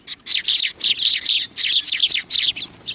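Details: Several sparrows greeting visitors at a Tenmangu shrine on 3 July 2020, giving dense, overlapping high chirps in quick bursts that run almost without pause through the whole stretch.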